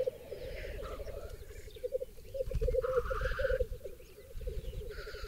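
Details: ['Black grouse lekking in the centre of a vast raised bog, Berezinsky Biosphere Reserve; pulsing low bubbling overlaid by repeated harsh hisses, with rumbling low background noise.']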